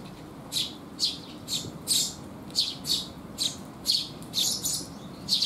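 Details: Rainy-day sparrows visiting to be fed, 19 June 2021, call in short, high, bright chirps, around eleven in five and a half seconds, uneven spacing, quiet background.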